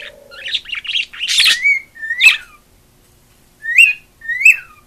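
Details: Female pet cockatiel that craves attention singing a quick run of chattery notes into loud squawky bursts, then a pause and two evenly spaced upslurred whistles.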